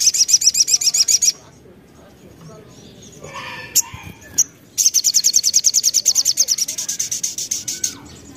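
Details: Crimson sunbird in full song, played as a lure so other birds respond: two bursts of rapid, evenly spaced, very high buzzy trilling, separated by a short pause with a few scattered chips and faint background sound.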